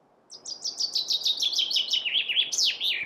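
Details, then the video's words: Chaffinch phrase of quick repeated notes that slide lower in pitch step by step, closing with a strong downward-sweeping flourish, over a quiet hissing background. "Chaffinch Birdsong"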